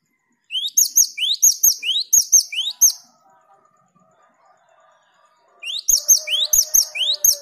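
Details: Gelatik batu (cinereous tit) song intended to provoke a long ngerol roll: rapid repeated phrases, each a rising whistle topped by shrill paired notes, in two bursts split by near silence and a faint low hum.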